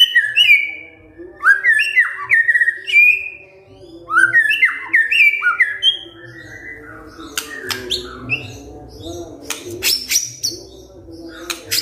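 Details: White-rumped shama kretekan fighter song for provoking silent shamas to answer: a series of falling slurred whistles repeated in groups, then quieter dry clicks and crackling notes toward the end.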